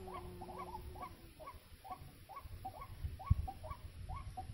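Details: White-breasted waterhen, known as baburak or kreo padi, by a bird trap: a long, regular series of short hooked notes, about two per second, with a brief hum at the start and a sharp knock midway.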